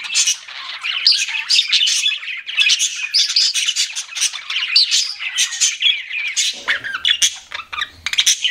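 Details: Several pet budgies keep up a lively chatter of harsh squawks, clicks and bright whistled notes, with brief sharper peaks and a faint low hum near the end.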